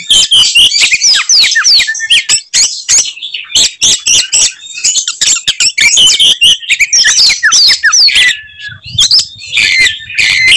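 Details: Fighting kacer, an Oriental magpie-robin, delivering its signature 'tembakan' song that provokes rival magpie-robins into rage. Nearly nonstop loud stream of sharp whistles, rising and falling slurs and scratchy notes, with one short gap near the end. Recording overloaded.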